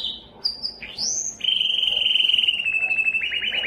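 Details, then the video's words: Canary with a few scattered high notes and an upward slur, then a long, fast, buzzy trill that falls gently in pitch and breaks into separate chirps at the end. "Canary sounds"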